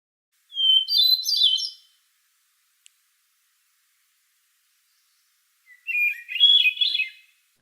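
Two fluty Hermit Thrush phrases, each opening on a clear held whistle and dissolving into a shimmering, echoing flourish; the second phrase starts lower than the first.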